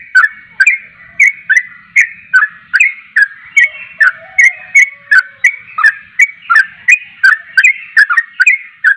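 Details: Javan pied starling singing vigorously, meant to make other starlings answer: a fast run of short whistled notes, each sliding down, repeated nearly three times a second with steady loud bursts and a faint lower warble partway through.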